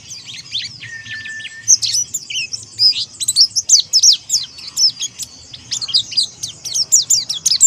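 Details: Ngalas song of a Monty Oriental white-eye calling out rivals. A short steady whistle gives way to a dense, rapid stream of high, squeaky, zigzagging notes that grows louder and busier.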